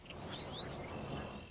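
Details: A male wood duck (Aix sponsa) gives a single thin, high whistle that sweeps sharply upward over about half a second, with faint background hiss.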